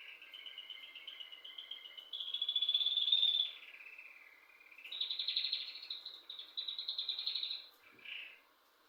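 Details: Chirping bird inside a home, pouring out long, high, rapid trills in several bursts. One louder, piercing trill stands out in the middle, and the song breaks off with a short final note.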